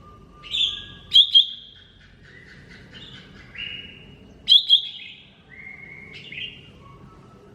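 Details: Cucak ijo mini, greater green leafbird, masteran song: bursts of doubled sharp notes about every three seconds, each followed by long high whistles and a string of varied, stepped whistled phrases dropping and rising in pitch.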